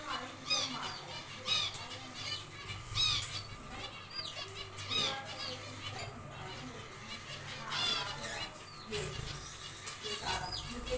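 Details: Zebra finches in a small aviary during nest building, giving clear nasal, harmonic call notes in irregular bursts, some rapid and stacked. Other finches call faintly behind, with a low steady hum throughout.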